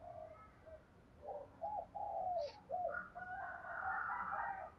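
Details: Spotted dove coos meant to prompt other doves to call: a series of mid-pitched coo notes over steady background hiss, with higher chattering bird sounds joining toward the end.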